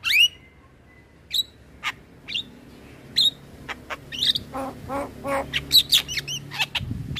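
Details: Male black-winged starling song for training birds to sing: a rising whistle, then scattered sharp chips and rasps becoming a faster jumble of harsh notes and whistles toward the end.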